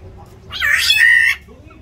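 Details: A single rasping, nasal, cat-like squall lasting under a second, given by a black-naped oriole during a territorial fight inside an aviary, set against a faint low rumble.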